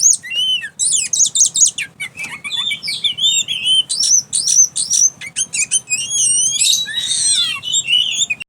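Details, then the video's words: Strange outburst from a caged Oriental magpie-robin once its cover comes off, a fast stream of thin whistled upslurs, clicks and scratchy twitters, roughly two notes a second, varied and unbroken. "Kacer konslet suara aneh"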